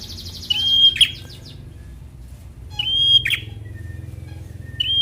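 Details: Bar-winged prinia, semi-young, fighter-style song used to get idle birds singing: three phrases of a steady piercing whistle cut off by a rasping burst, with softer chirps before the first phrase.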